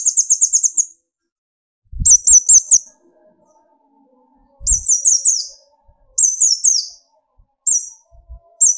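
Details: Sunbird song for provoking other birds to sing: several bursts of quick, high, sharp repeated notes, some with descending slurred elements, spaced by short silences and occasional low taps.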